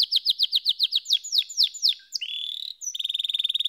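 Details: Canary song of bright repeated downslurred notes, then a sustained buzzy tone and a rapid even trill.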